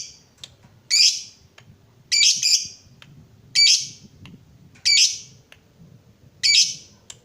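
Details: Lovebird, fighter type, calling to prompt other lovebirds into ngekek singing: five loud, scratchy, high squawks at irregular intervals of one to one and a half seconds, over soft low rumbling noise.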